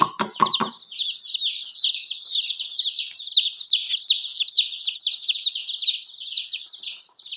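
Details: A brood of baby chickens chirping steadily, with high, thin peeps tumbling over one another without pause; a quick run of sharp knocks opens the recording.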